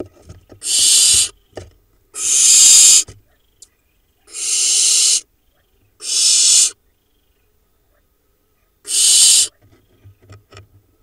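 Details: Late-hatched barn owl owlets, four remaining from a brood of five, preening in a Hula Valley nest, Israel, 7 July 2021: five scattered snoring hisses over eleven seconds, with a long pause and soft rustling and shuffling.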